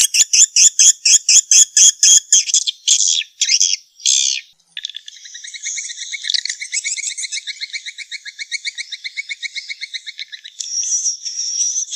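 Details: Swiftlets, the sound for a swiftlet nest business: a rapid series of sharp dry clicks, about two per second, gives way to a long, even, buzzy high chattering trill.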